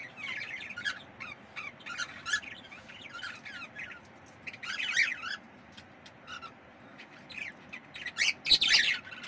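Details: Budgerigar chicks give harsh, high squawks and raspy chirps in irregular bursts, with louder scratchy outbursts near the end.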